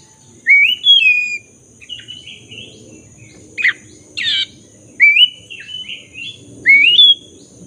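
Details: Black-breasted Oriental magpie-robin singing continuously as a lure for silent birds; rich rising whistled phrases broken by two short harsh notes, with a faint low hum in the background.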